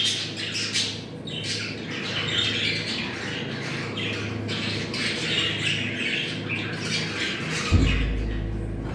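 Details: Warbling budgerigar chatter from a call used to stimulate breeding, squawky and continuous, with a dull thump near 7.7 seconds and a low hum throughout.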